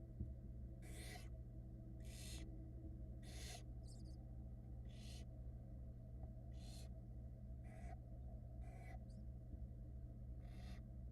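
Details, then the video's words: Barn owl nestlings on a Florida nest cam, February 2022 brood, keep up about nine hoarse, breathy hisses at irregular one-second gaps while their wet mother tries to dry off. Faint high chirps and a steady hum are also heard. "Mommy owl tries to dry off after getting wet and the kids are not having it"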